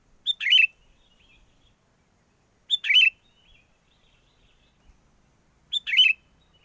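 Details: Sooty-headed bulbul lure song for bird trapping, in strong wind: three short phrases, each a sharp whistled note running into a bubbly warbled burst, repeated about every three seconds against a quiet background.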